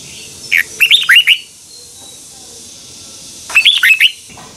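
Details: Twisting double-voice morning song of a red-whiskered bulbul from 2021, meant for training birds: two bouncy phrases of rapid up-slurred whistled notes, about two and a half seconds apart, against a low background hiss.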